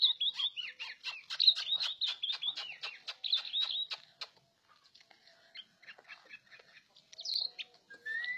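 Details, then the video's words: Orange-headed thrush singing: a fast run of sharp, high chirps repeated several times a second for about four seconds, then sparse softer notes and a final rising whistle. "Viral!!!!Anis Merah Teler Kagak Ketulungan...."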